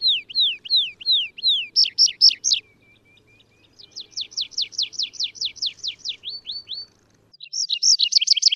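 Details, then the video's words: Atlantic canary (Serinus canaria) in wild form, singing a varied song of looping whistled notes, a short buzzy burst, a pause, then a long fast series of sweeping notes and a final bright trill. "Canario silvestre (Serinus canaria) Canto"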